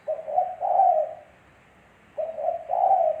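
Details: Low, soft cooing from a spotted dove. Two phrases, each a short hoot then a longer, breathy, even-pitched coo, with a silent gap between them.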